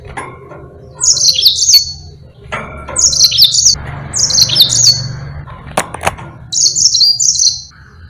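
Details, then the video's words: Yellow-fronted canary in a lively, long rolling song used as a tutor recording for other birds such as white-eyes. High, sweet twittered phrases under a second long, repeated about four times with short pauses, over a low background hum. "Burung Mozambique GACOR NGEROL PANJANG"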